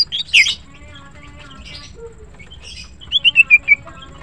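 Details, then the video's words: Greater green leafbird in morning song: a loud squeaky burst, soft scattered notes, then five clear descending whistles repeated rapidly. "Green Cucak birds sing melodiously and are pleasant to listen to"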